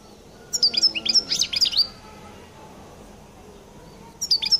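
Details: Collo European goldfinch giving its distinctive song: a cluster of sharp, high chirps and slurred twitters. A quiet stretch follows before a short new phrase starts near the end.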